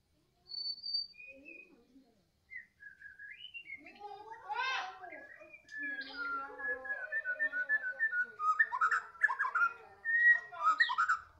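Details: White-rumped shama, Medan type, singing in the afternoon: high pure whistles open the song, then a long, varied run of fluty notes, rapid trills and chattering phrases that grows louder and denser toward the end.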